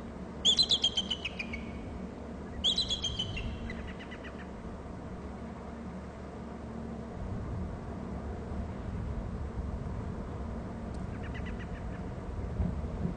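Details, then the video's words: Bald eagle calling around its nest territory on Hornby Island; two short bursts of shrill, rapid piping notes falling in pitch near the start, a fainter chatter later, and a constant low rumble of background noise. "eagle to ulb bst and calls from gregg's"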